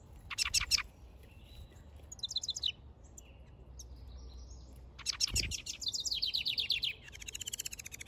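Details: House wren male building a nest in a backyard pours out bubbly, rapid trills in bursts: short chattering phrases, then a long, tumbling rattle of high notes that keeps going to the end.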